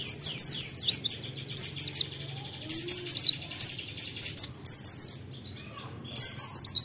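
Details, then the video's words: White-eye lure song meant to stimulate singing: bursts of rapid, high, thin chirps and descending trills, each lasting under a second and separated by short silences, over a quiet low background hum. "Pancingan Pleci Ampuh Untuk Merangsang Cepat Bukpar"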